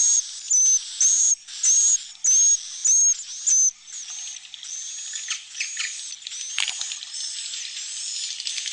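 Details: Swiftlet roosting sound, Generasi Penerus style, meant to evoke a flock of chicks and adults close by. Six quick regular buzzy chirps open, then softer overlapping twitters and faint whistles fill the rest.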